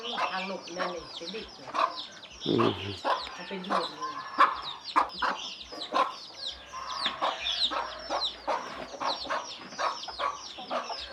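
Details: Hen gives quick, low clucks, several a second, calling her chicks to come and eat, with high thin chick peeping mixed in and a human voice now and then.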